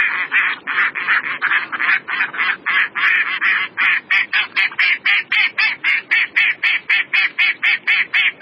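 Mallard giving a fast, even run of harsh, nasal quacks, nearly four a second, kept up without a break; nothing else stands out.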